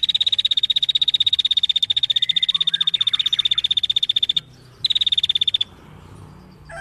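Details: Rapid, steady high-pitched ticking trill from a female bar-winged prinia, running over four seconds, stopping, then resuming briefly before quiet background hiss.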